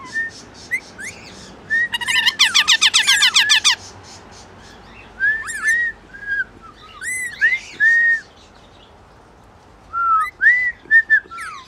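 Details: Rainbow lorikeet singing in love: arched whistled notes, a dense, loud burst of buzzy chatter, then separate bell-like whistles and rising slurs with pauses between them.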